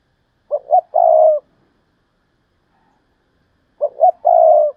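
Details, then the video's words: Decoy spotted dove repeating its Thúc Lợi Cốt call twice, about three seconds apart. Each phrase has two quick notes and a long burred coo, with silence between. "Chim Cu Mồi/ Thúc Lợi Cốt"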